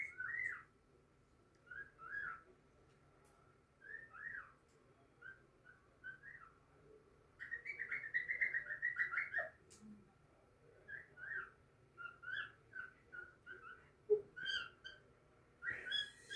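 A cockatiel gives short, warbling whistles in bursts, with one longer chattering run midway.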